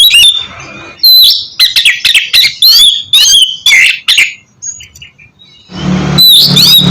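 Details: Oriental magpie-robin song played to coax a reluctant bird into singing: loud whistled notes around 3–5k mixed with sharp harsh bursts, a quiet pause near five seconds, then a noisy burst with whistles.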